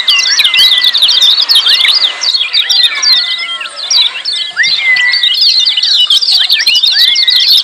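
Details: Lemon-bellied white-eyes in a noisy, busy chorus used as training audio for caged birds: dense, rapid, high twittering chirps overlapping throughout, with several drawn-out lower whistles that slur up or down, some held nearly level for about a second.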